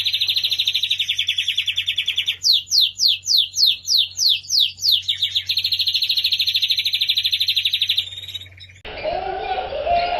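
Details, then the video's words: Master song of a Lancashire canary, the English breed, for training young canaries: a long even rolling trill, then a run of fast descending swept notes, back to a smooth roll before an abrupt change to other faint sound. "Burung Kenari Lancashire Gacor | Masteran Kenari Lancashire"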